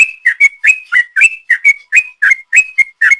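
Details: Rapid ropel song of a sooty-headed bulbul, used as a lure: a continuous run of clear whistled notes, roughly four per second, each swooping up or down in a bouncing rhythm.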